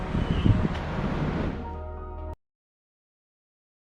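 Loud low music with rumbling noise cuts off abruptly halfway through, followed by silence, with no animal sounds.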